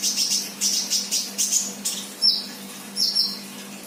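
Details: Untrained 'bahan' sunbird in full 'gacor' voice: a run of rapid, sharp, very high chips about every third of a second, then two thin piercing whistled notes, with a steady low hum.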